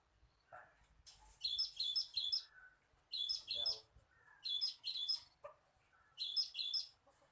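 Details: Cinereous tit song played as a lure for trapping birds: high, buzzy paired notes repeated in bursts of three or four, with short pauses between phrases and a few lower slurred whistles in between.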